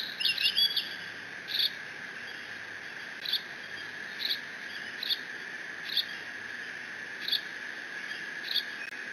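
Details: Young bald eagle, the only one in its nest at Decorah on 30 June 2017, mantles the father's fish and squees: a brief cluster of shrill chirps, then single high squeaks roughly every second, with constant camera hum beneath.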